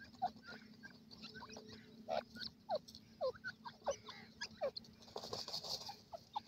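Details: Female grey francolin calling: short, rising, sharp notes repeated roughly every half second, some doubled, over a steady low hum and a faint hiss.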